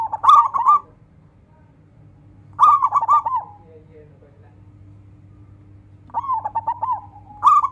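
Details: Zebra dove of the local strain calling out rivals, long-voiced song: bursts of fast rippling, bubbling coos, each about a second long, spaced by quiet gaps, then a drawn trill at the end; low steady hum behind.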